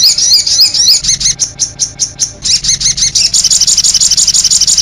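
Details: From a sogok ontong master and lure track mixed with konin sounds. Warbled high notes give way to a series of sharp, descending chips about three a second, then a dense high trill.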